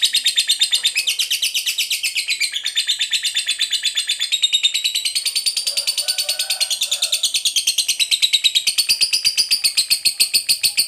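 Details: Lovebird fighter delivering its long 'ngekek panjang' trilling song, used to lure other lovebirds into singing: an unbroken, high, rapid chattering trill of evenly spaced pulses, about ten a second, running the full eleven seconds with little pause.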